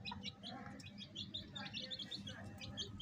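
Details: Baby chicks kept with a hen, peeping in rapid, short, high chirps over a steady low hum.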